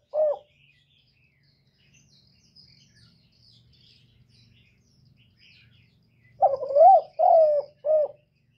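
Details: Spotted dove lure call for stimulating doves: one short coo, then a long quiet stretch with faint low hum and faint high chirps, ending in a run of four mellow, wavering coos.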